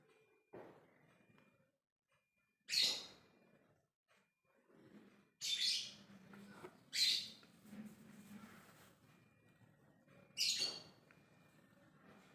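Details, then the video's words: Lovebird calling to others of its kind with ngekek calls: four loud, sharp, high squawks at irregular intervals, over a low murmur of background noise. "Love bird ngekek memanggil yg lainnya"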